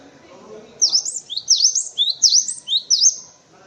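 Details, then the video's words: High two-note phrases from a cinereous tit, used to tutor white-eyes and other birds, sound four times in quick succession over faint background rustle. "Suara Burung Gelatik Batu untuk masteran"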